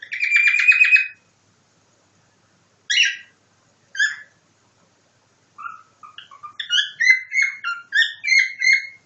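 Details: Pet cockatiel copying a nightingale's song: a bright buzzy trilled whistle, then single sharp chirps after pauses, ending in a fast run of varied whistled notes and trills that rise and fall. No other sounds.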